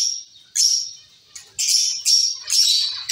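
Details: Zebra finch colony in a cage: a series of loud, nasal, beeping calls, each about half a second long, given in quick succession after a quiet opening.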